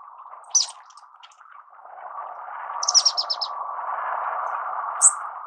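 Orange-cheeked Waxbill giving high, thin notes: a quick burst of five or six tinny chips, plus isolated squeaks, over a steady low hum.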